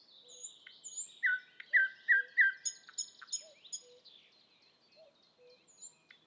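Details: Thrush nightingale in Estonia sings a softer phrase: four quick repeated slurred notes among high whistles and clicks, with faint low notes and thin whistles trailing off.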